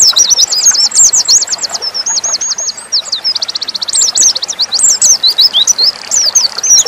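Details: Rapid nembak singing by a dakun-type Oriental white-eye, beginning with zigzag chatter and a row of spaced clipped notes, then a fast trill and a finale of sweeping high whistles.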